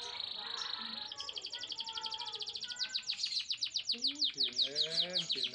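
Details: Canary song to excite male and female canaries toward mating: a steady high tone, then an accelerating trill of sharp repeated notes, with lower harmonic warbles near the end.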